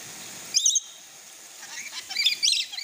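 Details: A lorikeet, a pet bird, gives shrill, screechy chirps while happily taking a shower: one quick burst, then a longer run of sharp squeaks about a second later, over a steady hiss of running water.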